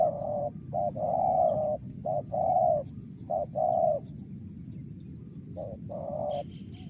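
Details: Spotted dove, tekukur, delivering Mersik-style coos: short and long hollow notes in irregular pairs, louder phrases early then a pause and one final pair, with a faint high chirp near the end and persistent low hum.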